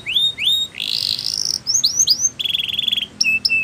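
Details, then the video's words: Canary song meant for training canaries: rising whistled slurs, a long sweeping buzz, a quick rattling trill, and two short flat whistles at the close. "Best Canary Sounds !! Suitable For Canary Training"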